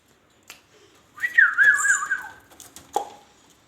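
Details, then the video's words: Indian ringneck parakeet talking indoors: a warbling, wavering whistled phrase of about one second with bending pitch, preceded and followed by a few sharp clicks in a quiet small room. "ringneck talking sweet"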